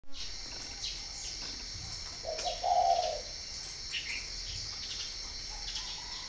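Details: Spotted dove from a breeding farm in Ba Vì, northern Vietnam: two short soft low notes running into a longer hoarse coo, over a steady high insect-like hum and faint chirps.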